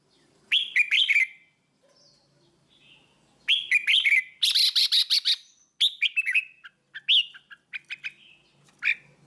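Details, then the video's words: Red-whiskered bulbul tutor song used for training young birds: bright chirpy phrases of rapid rising and falling notes, in three bursts with short pauses between. "กรงหัวจุก เสียงนกกรงหัวจุก นกกรงหัวจุกเสียงครู"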